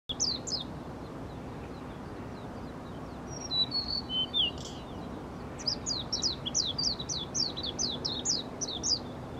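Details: Blue-and-white flycatcher calling from very close by but unseen, giving high, sharp chirps: a pair of notes, then a quick run of about a dozen, over a low steady hum.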